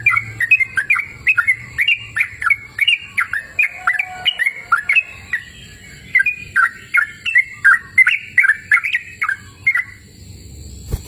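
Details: Lively sooty-headed bulbul song recorded in open countryside: a long series of warbling, bubbling phrases, each a fast cluster of fluty notes, briefly slowing midway and then running on.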